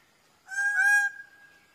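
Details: A single strong, harmonic, honk-like call from a Greater bird-of-paradise, steady in pitch for about half a second before a soft trailing tail, with little background sound.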